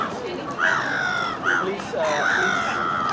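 Three drawn-out, harsh, nasal moans from a black-headed gull, each rising then sagging, spaced about a second apart. Part of courtship display; faint background murmur.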